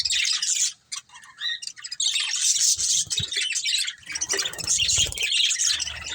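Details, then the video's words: Pet budgerigars, a family group, chirping and chattering: dense, overlapping high twittering with squawky notes, nearly continuous apart from a short lull near one second. "Cute Budgies Chirping Sounds"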